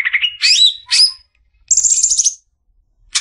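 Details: Greater green leafbird, called a future champion, gives varied short phrases: a wavering mid-pitched warble, a rising slurred note, a buzzy rattling phrase very high up, then silence and a final harsh burst.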